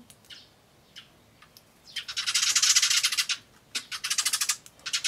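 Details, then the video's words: Eurasian tree sparrow in spring, May 2013, raising its tail and charging another sparrow, fighting or courting, calling a harsh buzzy "jyujyujyu": a dense rasping burst of rapid notes, then shorter broken buzzy runs after scattered single chirps. "スズメの喧嘩？それとも求愛？ Tree Sparrow's fighting? or courting?"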